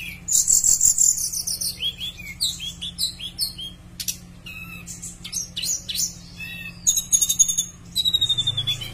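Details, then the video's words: Javan bush lark singing vigorously as a lure for other bush larks: a buzzy high trill, then varied downslurred chirps and clicks, then repeated thin whistled notes, over a faint low hum. "Pancingan Suara Tledekan Gacor buka paruh"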